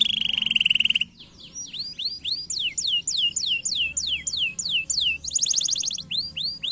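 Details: Canary song used to train lazy canaries: a steady trilled tone first, then a brief gap, a sequence of descending whistled slurs at about three per second, and a quick high buzzing roll.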